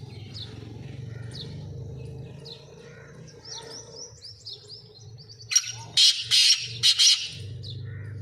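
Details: Black francolin described as a speeder kept by a hobbyist: soft twittering of small birds over a low hum, then loud harsh rasping bursts of about four grating notes near the end.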